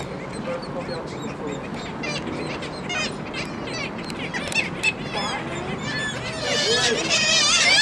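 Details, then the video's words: Gulls at the Baltic, Tyneside, on 2 April 2023, many calling together in a dense colony chorus of wavering, yelping cries that build in loudness toward the end. "Seagulls at the Baltic"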